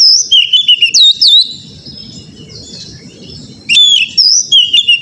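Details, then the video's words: Oriental magpie-robin played as a training recording to make a caged bird sing: loud bursts of clear whistled notes sliding up and down, repeated in short phrases, with a quiet gap between bursts and low background rumble. "TERAPI KACER BAHAN AGAR CEPAT GACOR NGEPLONG"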